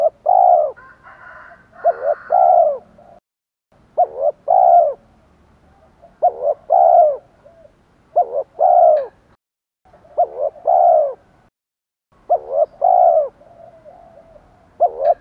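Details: Cooing spotted dove in the Thổ voice, phrased to goad rivals into fighting and draw wild birds in: some seven clipped phrases of two quick notes and a drawn-out coo, steady every two seconds, with a faint extra note early on.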